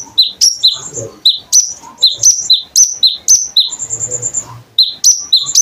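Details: Konin bird song used as a training recording to teach kolibri ninja birds, with sharp high chirps and short whistled notes repeated rapidly, about four per second, in a lively run that pauses briefly before resuming.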